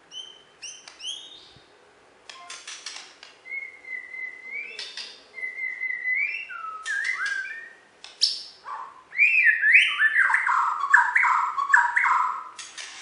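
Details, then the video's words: Champion Bornean white-rumped shama from West Kalimantan singing: sharp clicks and chips, then level whistled notes near the middle, building to loud, rich, descending warbled phrases at the end. "Video Burung Murai Batu Borneo Juara Di KalBar"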